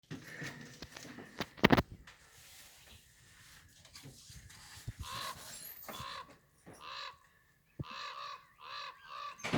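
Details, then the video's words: A bird gives harsh, nasal squawks ("sqwack") in short bursts, several in quick succession near the end, after some knocks and rustling at the start; described as funny bird noises. "Funny Bird Noise"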